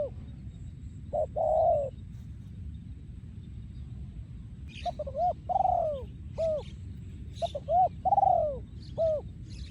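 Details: Spotted dove breeding male, yon khu ang song style: one short-and-long coo phrase, a pause, then several arched coo phrases with long descending notes, while small birds chirp faintly high above.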